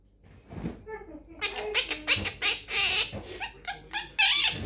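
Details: Pet Quaker parrot in a small room, chattering phrases such as peek a boo and give me a kiss; a dense, almost continuous stream of loud scratchy high syllables with brief pauses.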